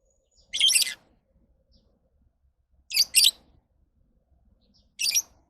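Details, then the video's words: Lovebird uttering loud, shrill, scratchy squeaks: one long burst, then a quick double, then a single, each about two seconds apart, in a quiet room. "Love birds Sounds"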